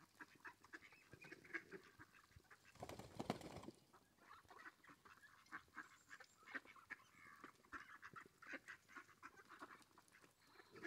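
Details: Mallards gathering to be fed, giving repeated harsh nasal calls among a steady noisy background, with a louder burst of rushing noise near the third second.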